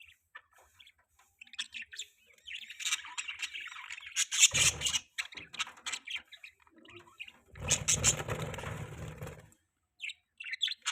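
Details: Budgerigar chirps come in short high bursts separated by quiet gaps, with two louder stretches mixing squawky notes and low rustling or fluttering noise.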